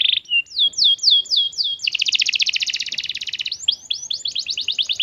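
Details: Canary lure song meant to prompt young canaries to answer: one steady note, then a series of falling whistled slurs, a fast buzzy rolling trill, and closing rapid repeated downward chirps.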